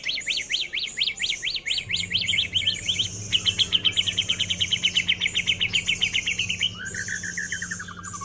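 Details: Six-month-old male white-rumped shama, still pumping its tail, sings fast repeated up-and-down whistled trills, then a falling slurred phrase, with constant high insect buzz and a low hum.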